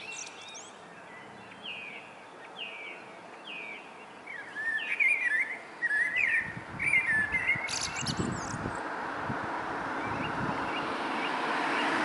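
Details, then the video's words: Common starling singing from a rooftop: a string of short rising whistled notes repeated about four times per second, growing into louder mixed chatter and crackling elements, with a rising wash of broadband outdoor noise toward the end. "Singing Starling on the Roof"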